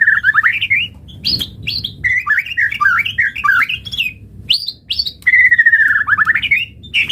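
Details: White-rumped shama singing a richly varied master song meant to make other shamas sing: fast warbled runs, sharp rising whistles, and a long descending trilled phrase near the end, over faint low hum.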